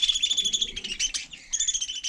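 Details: Budgerigar on snow in frost, giving a fast, scratchy chatter of rapid chirps with whistled tones repeating without pause, a short dip in the middle, then resuming; no other clear sounds.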